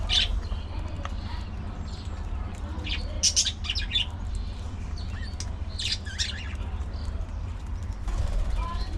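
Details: Budgerigars in a social colony: scattered bright chirps and short squeaky bursts, a loud cluster around the third second, tapering to near quiet at the end, with a low rumble beneath.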